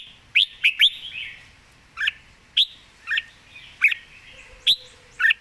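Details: Perched Red-whiskered bulbul singing relaxed, with well-turned phrasing and a quick beak: crisp chirped notes, a rapid triplet, then single notes spaced roughly half a second to a second apart over a faint steady hum.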